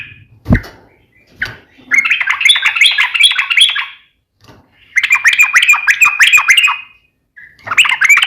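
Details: Trucukan, or sooty-headed bulbul, in energetic 'ropel ngeplong' song: a few sharp clicks, then long runs of rapid, chattering, warbled notes in two main bursts, with short silent gaps between phrases.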